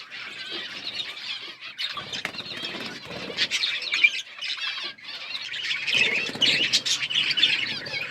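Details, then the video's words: Budgerigars chirping: dense, scratchy high warbling chatter that comes in bursts separated by brief lulls near two and five seconds, with sharp clicks or wing flutters mixed in. "Beautiful budgies colour birds chirping sounds"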